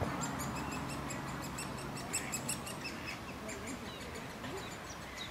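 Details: Great spotted woodpecker family in a beech nest in a city park in Leeuwarden, parents feeding three nestlings, which beg with rapid, high, thin chittering notes, about two or three a second, over a steady low background rumble.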